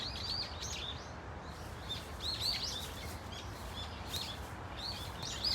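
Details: Several Brown-eared Bulbuls in a flock at Dunsan Grand Park in Korea; scattered high, squealing arched notes come in loose groups amid steady background noise and low rumble.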